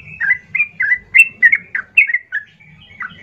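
A yellow-vented bulbul sings a rapid run of bubbly, slurred chirps, about four per second, with a faint low hum beneath.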